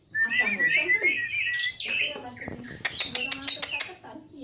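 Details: Black-winged myna (jalak putih) singing in full voice, a gacor song packed with isian phrases: a long whistled, wavering note, then harsh scratchy bursts and a fast run of dry clicking notes.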